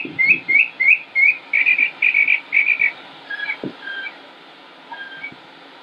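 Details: On 25 May 2016 in Concord, North Carolina, USA, a male Northern Mockingbird sings on and on, seemingly never repeating a song: bright, clear whistled phrases, each repeated several times before switching to a new, lower pattern, over faint low background noise.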